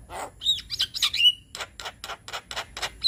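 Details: Javan myna song meant to get young birds singing: mixed whistles and scratchy notes, then a steady run of harsh rasping calls about four per second, with a faint high tone behind.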